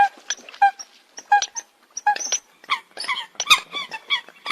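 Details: Eurasian coot calling: short, nasal, honking notes in irregular bursts, some doubled, with overlapping calls that suggest more than one bird.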